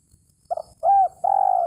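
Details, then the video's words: Spotted dove calling to a rival, a recording used as a lure for trapping: a short doubled coo, then a smooth arched coo, then a long, drawn-out, gently falling coo with a throbbing, vibrating quality. "SUARA BURUNG TEKUKUR MEMANGGIL LAWAN"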